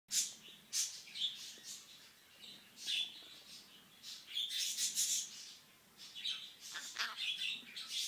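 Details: Pet green-cheeked conure talking and making kissy sounds; a series of high squeaky chirps and smacking kiss-like notes, chattering in uneven bursts with short quiet gaps.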